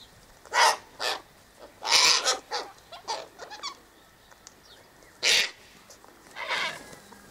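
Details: Sulphur-crested cockatoos (Cacatua galerita) eating sunflower seeds, wheat and birdseed mix scattered by the eastern gate; harsh, raspy screeches come in short bursts, several close together around the middle, then two more after quiet gaps.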